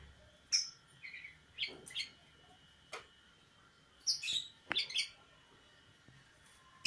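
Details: Sooty-headed bulbul calling: clear, separate short chirps and sharp whistled notes spaced about a second apart, a tight cluster of quick notes near the middle, over a faint steady hum.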